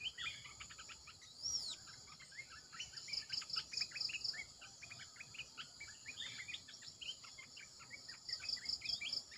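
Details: Red-eyed bulbul singing as a decoy: dense chattering of brief chirpy notes throughout, a quick rising-and-falling whistle early on, and short series of high pulsed tones repeating in the background.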